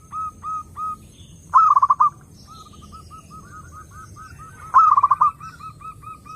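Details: Zebra dove song for luring other doves: soft mellow coos, then two loud stuttering rolled bursts about three seconds apart, each followed by rapid repeated cooing notes, with faint high chirps behind.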